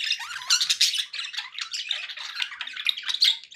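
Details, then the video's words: Pet budgies chatter without pause indoors, a dense stream of raspy squawks, clicks and high chirps with frequent louder peaks. "1 hour of budgie sounds"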